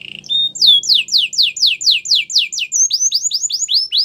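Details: White canary singing a training song: a short whistle, then a chain of falling slurred notes about twice a second, shifting to rising, looping whistles.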